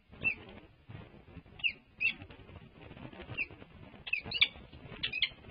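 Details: Peregrine falcons at a UC Berkeley nest during a changeover, one urging its mate to leave for a break. Scattered sharp, high squealing notes come singly and in short pairs, the loudest clustered near the end, over a steady low rumble.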